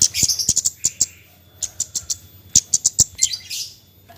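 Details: High, crisp ticking chatter of a Javan white-eye in the 'nyecret' style, a lure for birds slow to sing: a dense opening flurry of notes, then spaced sharp clicks and a final rapid cluster.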